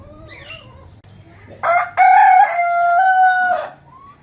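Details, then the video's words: Rooster crowing: after a quiet start with faint background calls, one loud harmonic crow rises, then holds a long, level, ringing note for nearly two seconds before cutting off. "Rooster Crowing Sound Effect Rooster Crowing Compilation"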